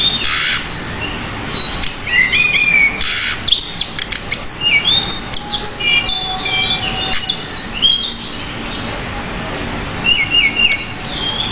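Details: Continuous pied bushchat song from a tutor recording for cage birds, full of varied phrases: loud broadband bursts, chattering clicks and many thin, high whistles, with short repeated trilled figures near the end.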